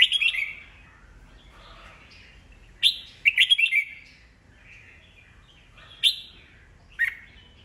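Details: Red-whiskered bulbul, an old wild-caught cage bird singing to provoke competitors: irregular loud bursts of rapid chirping notes with short sharp single chirps between them.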